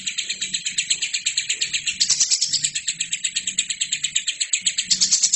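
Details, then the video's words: Lovebird delivering nonstop song meant as a model for training other birds. Crisp, high chirps fire in a fast, regular rhythm, briefly growing louder and harsher near the middle and the end, over a faint low hum. "LOVERBIRD GACOR!!! INILAH HASIL TERAPI MASTERAN TERBAIK 2017"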